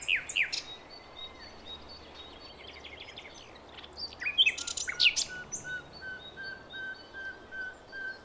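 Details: Lure recording from Javan forest, said to be a female calling a male: bursts of sharp rising chirps and whistles, a pause, then a rapid varied phrase and a steady series of thin high notes about twice a second.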